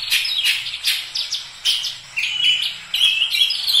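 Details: Oriental magpie-robin singing energetically, a fast run of varied whistled and chirping notes, some sliding up or down, in short bursts separated by brief pauses.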